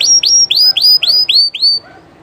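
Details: A live Llarguet Español canary gives a bright run of seven loud whistled notes, each rising sharply then curving down, evenly spaced about every quarter second, ending abruptly into near silence.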